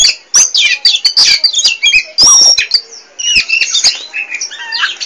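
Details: Oriental magpie-robin, a noisy, nonstop singer, giving rapid bursts of loud whistled phrases, a long piercing high note, descending slurs and rough squawky fragments mixed with sharp clicks.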